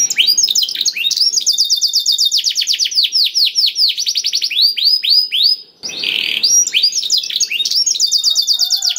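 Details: Black-throated canary filler song for coaxing canaries to sing: long unbroken cascade of rapid descending sweeps and dense trills, a brief pause, then a buzzy rattle and renewed high chattering phrases.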